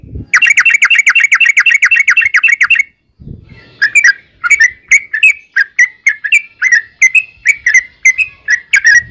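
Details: Yellow-vented bulbul singing a long rapid 'ropel' trill, used as a lure to draw other bulbuls into answering. Fast rhythmic chattering notes run for about two and a half seconds, then a brief pause, then separate bubbly two-note phrases repeated roughly every half second.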